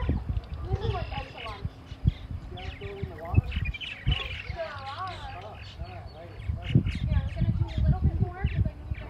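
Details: Purple martins chatter in a busy colony at Parker River National Wildlife Refuge, Plum Island, Massachusetts: overlapping gurgling, rising and falling chirps throughout, over heavy low wind rumble and possible faint voices.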